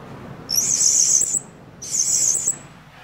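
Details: A blue-crowned hanging parrot used as a lure bird to call other hanging parrots in, not to challenge them, gives two shrill, hissing, very high-pitched bursts, each close to a second long, with a brief pause between them.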